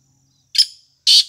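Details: Black francolin calling: two loud, harsh, grating bursts about half a second apart, the first with a trailing rasp. The background is otherwise quiet.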